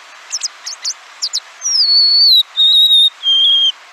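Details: A Golden-crowned Sparrow from a wintering population at the UC Santa Cruz Arboretum, where they sing much in winter and fall, gives a few sharp, high alarm chips, then sings three long, plaintive whistles, each lower than the last.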